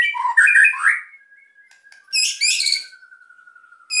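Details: Emotional white-rumped shama song meant to spur silent birds to sing, opening with a jumble of warbled notes, then a long thin whistle held low while a crisp high rattling burst cuts in.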